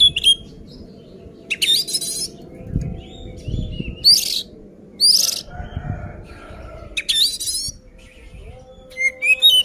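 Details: Oriental magpie-robin singing aggressively to provoke other birds: separate bursts of harsh buzzy notes and bright whistled slurs every second or two over a steady low hum and background noise.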